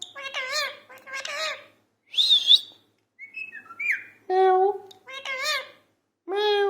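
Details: Talking parrot giving a mix of speech-like harmonic syllables, short rising whistles and a harsh buzzy burst, in irregular bursts separated by brief silences.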